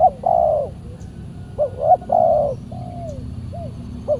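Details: Spotted dove (tekukur), a wild bird described as very aggressive and fierce, calling during a Saturday trapping session with a decoy; mellow hooting coos, a short rising note, then a long drawn coo, repeated twice, over faint low rumble.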